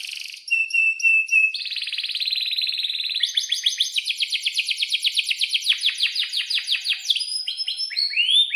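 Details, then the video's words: Canary singing a long rolling song for young birds to imitate: short whistled notes, a flat level trill, then a fast pulsing roll of repeated notes about seven per second, ending in rising slurs. "kenari gacor panjang buat pancingan kenari paud belajar bunyi agar NYAUT"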